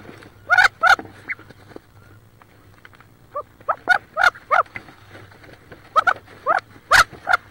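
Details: Wood duck hens quarrel inside a nest box near Richland, Washington, where one hen sits on about 18 eggs; sharp squealing notes come in clusters of three to five, separated by quieter rustling and a constant low electrical hum.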